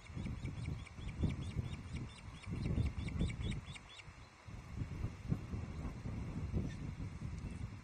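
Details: Nesting Ospreys at Loch Arkaig, Scotland, on 19 July 2023 during a trout delivery by the male to the nest with female and fledgling; repeated sharp piping chirps for about four seconds over steady low wind rumble.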